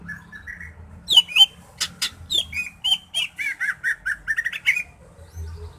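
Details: Greater green leafbird singing, used to stir breeding mood in another bird before contest: soft whistled notes, then loud varied chips and squeaks, followed by a fast descending series of bright chirped notes.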